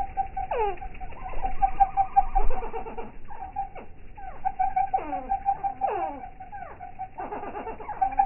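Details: Hummingbirds played back in slow motion: a steady low hum with faint overtones runs throughout, broken by about eight squeaky calls that sweep sharply downward, some in quick pairs, each lasting under half a second.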